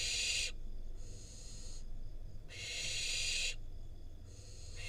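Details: Wild barn owl fledgling in Israel, filmed by a nest cam as parents deliver a rodent; loud rasping hiss-screeches about one second long, repeated several times with brief pauses, low hum underneath.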